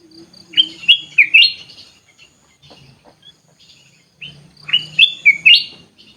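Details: Aviary-kept sooty-headed bulbul repeating the same bubbly phrase twice, about four seconds apart. Each phrase is a quick run of four lilting, rising-then-falling notes. A soft low hum runs underneath.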